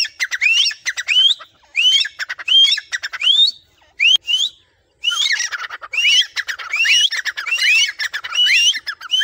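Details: Tame caged grey francolin, trained to start calling at its owner's whistle, giving bursts of sharply upswept squeaky whistles in rapid groups, with a short silent break midway before the excited rising notes resume.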